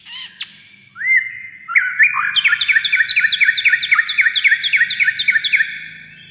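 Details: White-rumped shama, described as singing almost all day in many voices; an opening sharp click and upswept whistle lead into a long fast run of repeated looping notes, about four per second.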